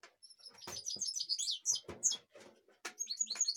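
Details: European goldfinch in Kashmir singing a lively, high tinkling twitter with rapid trills and sharp upslurred notes, punctuated by soft clicks.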